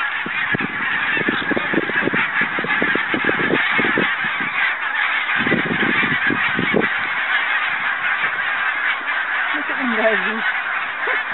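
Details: Flock of Barnacle Geese recorded on Arran and Islay, 2009, giving bursts of short clipped honks in clusters, with a quieter gap midway and a steady background hiss of wind or distant birds.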